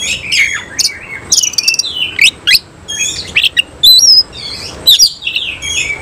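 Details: Spread-tailed oriental magpie-robin in semi-cililin style delivering a busy, loud song of rapid chattering notes, sharp up-and-down whistled sweeps and brief buzzy trills, packed closely with barely any pauses.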